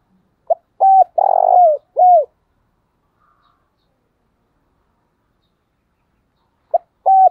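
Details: Calling decoy spotted dove: a full four-part phrase of short note, level coo, long buzzy coo and falling coo, then silence and the start of another phrase about five seconds later.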